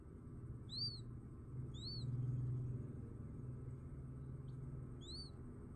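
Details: Just-hatched quail giving a few thin, high arched chirps, spaced about a second or more apart, partly over a low rumbling hum that swells midway.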